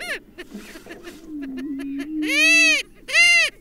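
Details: Great steppe grouse giving two long, loud, nasal whooping calls near the end, after softer clucks and a low, steady humming drone.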